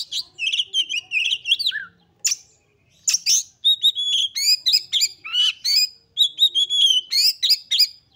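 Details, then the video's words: Highly excited Oriental magpie-robin song, used to push other magpie-robins to sing: long rapid strings of varied whistles, chips and slurred notes in fast clusters with brief gaps, loud and nearly continuous. "KACER GACOR FULL EMOSI TINGGI// JOSS UNTUK MENDONGKRAK KACER LAIN AGAR CEPAT EMOSI DAN GACOR FIGHTER"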